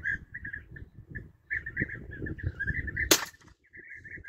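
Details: European bee-eaters in a hunting setting, giving rolling, trilled calls in a near-continuous chorus of repeated notes. A single sharp bang cuts through partway, followed by a short silence before the calls resume. Low rumbling noise runs underneath.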